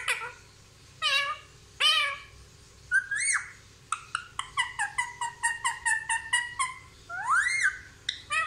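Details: Indian ringneck parrot talking, a bird that says "mummy papa": a few separate squawky syllables, then a quick rattling series of clipped notes and a rising whistled glide near the end.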